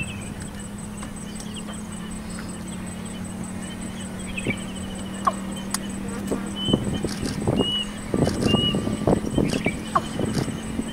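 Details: Female Watercock (Gallicrex cinerea) on the outskirts of Kolkata, West Bengal, India, June 2017, giving low hollow gulping notes in an uneven series in the second half, over a steady droning hum with a few faint high chirps.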